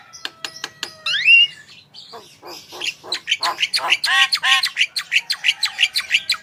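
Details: Javan myna singing steadily, used as a recording to draw song from other birds: sharp clicks open into a bright rising whistle, then a dense chattering series of harsh, buzzy notes.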